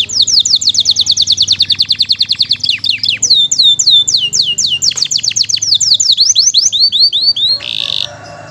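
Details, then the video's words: Canary delivering 'gacor' nonstop song of the 'isian mewah' type: a long rapid run of identical high slurred notes, then looping swept whistles and quicker chips, closing with a brief harsh buzz. "Masteran Burung KENARI Gacor ISIAN MEWAH Durasi Panjang"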